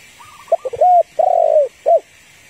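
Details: Female spotted dove calling to stir a male, used to lure wild birds: a few short soft notes, then two long mellow slurred coos and a final short coo, over steady background hiss outdoors.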